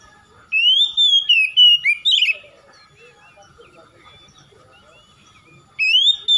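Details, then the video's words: Oriental magpie-robin singing to prompt lazy birds to respond: a run of fluty, slurred whistles and a scratchy flourish, then a pause of faint sounds before another whistled phrase begins. "SEKALI MENDENGAR SECEPATNYA KACER MALAS BUNYI RESPON IKUTAN GACOR"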